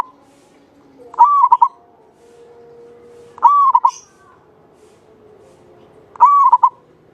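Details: {'caption': 'Local zebra dove from Java singing steadily, its long clear phrase rising then rolling into a quick trilled ending, repeated about every 2.5 seconds, three times; a faint high chirp follows the second phrase.'}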